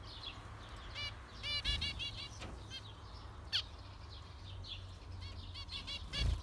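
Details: Zebra finch chorus of quick nasal beeps in short runs, one sharp loud call near the middle, over steady low background rumble and distant chatter.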